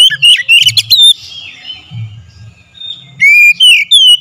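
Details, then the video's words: Oriental magpie-robin singing as a lure to excite another bird: bright whistled notes and quick chattering phrases, a fading whistle in the middle, then clear rising and falling whistles, over a faint low hum. "SEKALI PANCING KACER LANGSUNG GACOR NAIK EMOSI"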